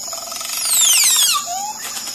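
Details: Crested oropendola (Psarocolius decumanus) song, noted as strange: a buzzy, gurgling phrase with a liquid whistle sliding steeply down from very high, ending in a short rising note.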